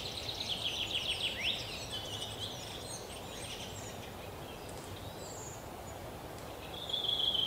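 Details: Eurasian three-toed woodpecker nestlings in a tree hollow in a forest park in Yekaterinburg, 10 June 2018, beg with a rapid run of high, buzzy chirps, then scattered thin squeaky notes over a steady hiss of background noise.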